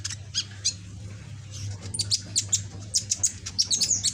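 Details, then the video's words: Singing young captive sunbird with a red back and green plumage, still practising its song: a few thin high chirps, then a busier run of sharp squeaky notes and ticks, set against a constant low electrical hum. "Burung Kolibri ninja punggung merah ijoan gacor"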